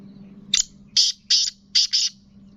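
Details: Kept black francolin, or kala teetar, readied for the 2022 session, gives a grating call of five short, high, raspy bursts in quick succession, the last two nearly joined, over a faint low hum.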